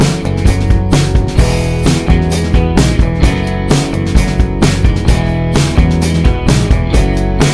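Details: Loud rock music with driving guitar and drums fills the whole stretch; no animal voices.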